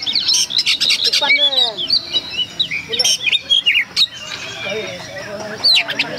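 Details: Oriental magpie-robin singing a rapid run of varied high whistles, sharp chirps and rising and falling slurred notes in quick bursts, several song phrases overlapping, with faint human chatter in the background.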